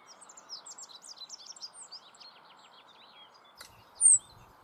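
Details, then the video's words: Rock bunting in Germany's Moselle valley delivering a fast jumble of thin, high, tinkling notes for about two seconds, then a pause, a tap and one sharp piercing high note, with constant rushing noise beneath. "Rock bunting. Zippammer"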